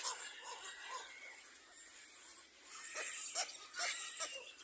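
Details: Little black cormorant, one shown attacking its own young, with a string of short arched calls, about two a second, over steady hissy, raspy background noise.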